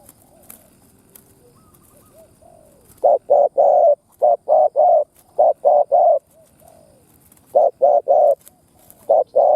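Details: Spotted dove kept as a decoy to draw in wild doves, giving rapid clusters of short low coos in groups of two to four, with a few faint softer notes and light clicks between bursts.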